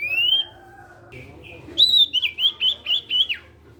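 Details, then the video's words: Sirtu song meant to coax other sirtu birds into singing: a long rising whistle, brief level notes, then a rapid run of five or six wavering, warbled whistles. "SIRTU CIPOW GACOR BIKIN SIRTU BAHAN IKUT BUNYI."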